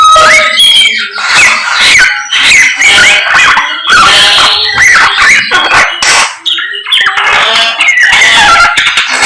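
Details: Samyong bird in the morning, singing a long, choppy sequence of loud whistles, yelping notes and chattering bursts separated by short gaps.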